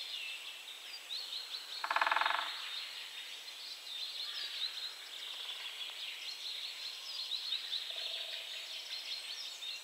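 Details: Great spotted woodpecker drumming on a dead tree: one fast, half-second roll of rapid knocks stands out loudly, while faint chirps from other birds and a steady hiss fill the background.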